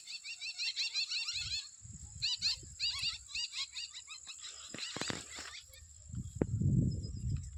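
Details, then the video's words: Jungle babblers on a tree in the evening, giving rapid runs of harsh, repeated chirps in quick bursts, with a steady high insect hum and low rumbling noise toward the end. "The chirping sound of a bird sitting on a tree in the evening, Jungle Babbler"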